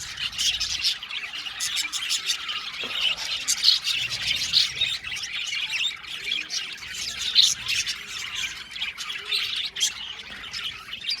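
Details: Budgerigars in an aviary colony keep up a lively overlapping twitter, sharp chirps and short squawks rising above a constant background chatter.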